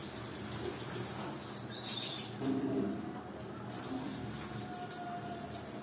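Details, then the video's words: A male Gouldian finch in breeding mood gives a soft, hissing song of scratchy high chirps mixed with a few low hummed notes, against a steady background hiss. "gouldian finch breeding mood for male"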